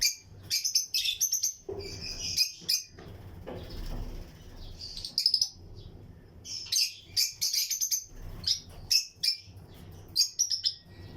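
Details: Lutino lovebirds in pairs in a flight colony aviary, with other birds singing along: a steady stream of shrill chirps and chattering bursts, some wingbeat-like rustles, and repeated loud sharp notes throughout.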